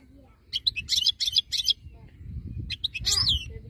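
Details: Goldfinch of the khaloui (wild) type, Algeria, 2022, sings two rapid runs of liquid, jangling chirps and trills, separated by a pause of about a second, with low rumbling background noise.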